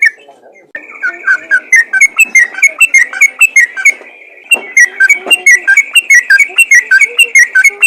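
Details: Yellow-vented bulbul song in ropel style, used to encourage other bulbuls to sing: bright whistled notes sliding downward, repeated about twice a second, over a steady high tone running through most of the recording.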